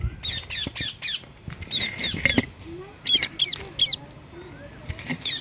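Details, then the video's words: Parrot calling in natural surroundings: harsh broadband squawks in short bursts of two to four, with brief pauses between groups and a faint lower chatter in the background. "Natural Parrot sounds"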